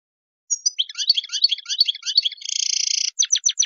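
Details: European goldfinch singing in Tadmait style as a lesson for young birds: rolling liquid twitter phrases repeated about twice a second, a dense buzzy trill, then crisp evenly spaced chips.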